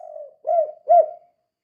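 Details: Tail of a spotted dove phrase in vigorous 'kuk 2' calling, used to stir other doves into calling: a fading drawn-out coo, then two full rounded coos, the second loudest, each trailing off softly.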